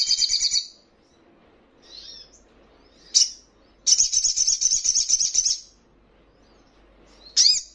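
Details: Crimson sunbird, a training recording for caged birds meant to make them answer and display: bursts of very high, rapid, buzzy trills, the longest about two seconds, separated by short high chips and brief sweeping notes, with quiet background.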